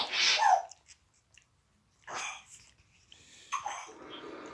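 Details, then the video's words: Pet African grey parrot pretending to sneeze: one sharp, breathy sneeze-like burst at the start, then softer hissing breaths, with faint television noise in the background. "Parrot is Back pretending to Sneeze"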